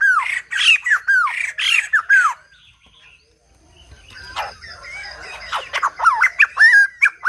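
A white-crested laughingthrush gives loud, harsh, rollicking notes with rising and falling slurs in fast bursts, breaking off briefly before resuming with clipped chattering phrases.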